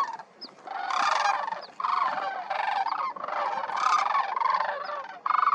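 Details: A large flock of sandhill cranes, thousands present, at Pixley National Wildlife Area, California, in December as birds land: dense overlapping rattling bugles form a near-continuous chorus, with a few brief higher notes.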